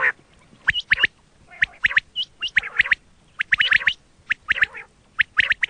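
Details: Quail calling, recorded for hunting use: irregular clusters of rough chattering notes mixed with occasional thin, rising whistles, repeated about once a second.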